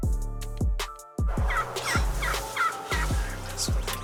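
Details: Wild turkey tom on a cold opening morning of turkey season in Utah, aggressive and coming toward a decoy about 50 yards away, gobbles in about five loud, rapid, gurgling bursts, each dropping in pitch, over wind and background noise.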